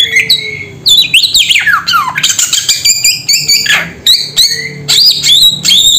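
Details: Samyong bird giving loud, varied whistled phrases: rising and falling slurred notes mixed with harsh, squawky bursts, packed closely together above a soft low background hum.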